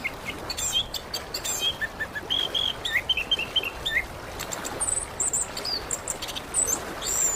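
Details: Song of an orange-headed thrush from Indonesia, played as therapy to get a silent bird singing: a run of bright clipped whistles in a mid-high register, then thin very high notes, all over constant background hiss.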